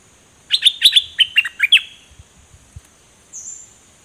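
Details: Dok taeng bird song from 2020, recorded for teaching young birds to sing along: a quick run of about eight high, sharp chirped notes that dip and slur downward, then a faint thin whistle near the end.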